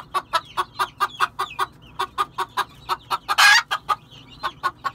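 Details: Red junglefowl clucking in a fast, even series of about twenty short notes, with a single loud, harsh squawk late in the sequence.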